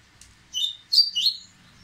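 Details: Short burst from an excited Dubois's seedeater preparing to sing: a faint opening tick, then three bright whistled notes, the middle one loudest and highest, slurring downward at the end.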